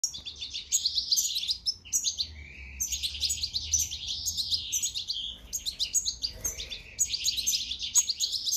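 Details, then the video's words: One-month-old European goldfinches being hand-fed give continuous high, tinkling, twittering calls in rapid bursts, with brief pauses around the two- and five-second marks. "Canto de JILGUEROS ‼️||jilgueros de 1 mes de edad"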